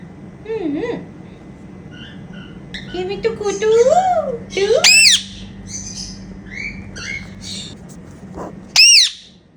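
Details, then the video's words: Indian ringneck parakeets kept as pets, playing and flying around indoors; squawking, warbling calls with whistled rising and falling notes, mixed with bursts of harsh screeches and a faint background hum. "Talking Indian Ringneck Parrots Making Happy Sounds"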